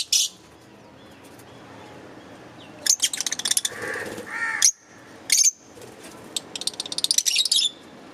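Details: Green Fischer's lovebirds chirping in a busy mix: loud high chirps and rapid ticking chatter, a softer lower rasping passage in the middle, then more shrill chirps and a fast chattering run.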